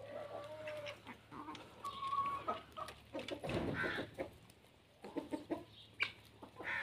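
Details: Chickens on their morning routine among ducks and guinea fowl: soft, scattered clucks and short murmurs, with a brief thin tone and a noisy rustle midway.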